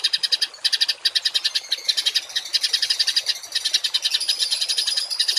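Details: Masteran songbird sequence of rough 'tembakan kasar' shots for cage and contest birds: an unbroken stream of fast scratchy chirps and rattling notes, with a steady high thin whistle running through the second half.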